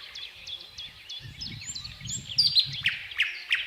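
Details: Thrush nightingale delivering rhythmic sharp notes and louder whistled accents, with a low rumbling background noise underneath the song.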